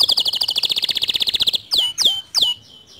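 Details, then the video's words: Lively canary song for provoking a quiet canary to sing: a fast, rattling trill of high notes for about a second and a half, followed by three loud, sharply falling whistled notes. "Memancing Emosi Kenari Malas Bunyi Agar Ikut Gacor Dengan Kicauan Kenari ini"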